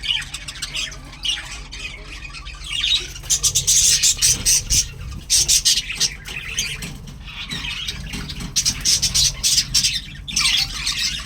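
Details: A breeding colony of Australian budgerigars with chicks keeps up a busy chorus of harsh squawks and chirps.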